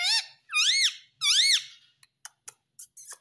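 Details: Ringneck parrot mimicking the words "mummy papa": three squeaky, arched, nasal syllables, each rising and falling, followed by several short clicks and soft ticks, indoors.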